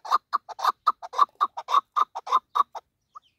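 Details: Female chukar partridge kept for hunting, calling in a fast series of harsh, clucking chuk notes, about a dozen in three seconds, with slightly irregular spacing, then silence.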